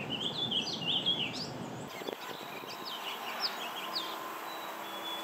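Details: Warbling Vireo singing in April at Mount Auburn Cemetery, Cambridge, Massachusetts: a rapid, rambling run of whistled notes jumping up and down in pitch, then quieter thin notes over steady background hiss.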